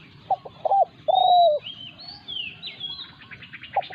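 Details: Thai spotted dove used as a decoy and challenged by a wild territorial dove. Two short hooting notes run into a sustained downward-sliding coo. Scattered high whistles and chirps from other birds follow.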